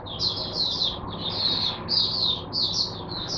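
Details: Oriental white-eye kept as a teacher bird for other white-eyes, 22 January 2022: four short bursts of high, buzzy, slurred twittering, evenly spaced about half a second apart.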